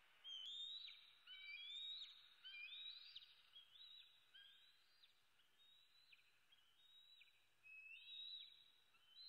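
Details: Food-demanding eaglet, a bald eagle known as E7, in Southwest Florida on 8 May 2016 around dawn: drawn-out, high, whistled screams rising and falling, given in runs roughly a second apart, with steady background hiss.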